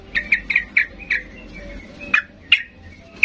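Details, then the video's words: Sooty-headed bulbul calling in an excited, provoking manner to make other birds reply; a quick series of bright chirps, then a few spaced, sharper downslurred notes over soft background noise. "Macam macam Trucukan gacor ngamuk memancing trucuk diam Bisa bisa Nyaut Emosi tinggi"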